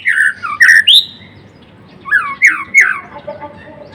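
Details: Blorok-type white-rumped shama singing: two groups of loud, clear slurred whistles and sharp upsweeps separated by a short pause.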